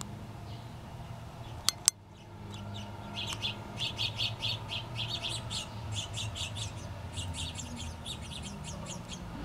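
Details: House Finch nestlings, two young birds about to leave the nest, being fed by both parents: two sharp clicks early, then building high squeaky begging chirps in rapid trains, over low background hum.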